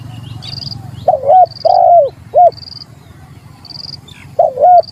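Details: A spotted dove challenges a rival. It gives a few low, rounded coos in a broken phrase mid-clip and again near the end, and a separate bird keeps up short high piping notes throughout. A low rumble sits underneath.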